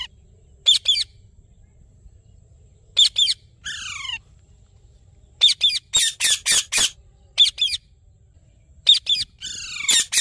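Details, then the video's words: Rose-ringed parakeet giving loud, harsh screeching squawks in short bursts of two to four, with a longer descending rasping call near four seconds and a rapid run of six squawks around six seconds; otherwise quiet. "Natural Parrot Sounds"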